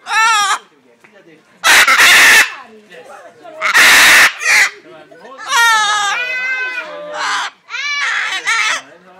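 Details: At the Walter Zoo in Gossau, Switzerland, a Blue-and-yellow Macaw says short words such as "hello", "hi you" and "kiss" in a raspy, wavering voice, broken by two loud, harsh screeches.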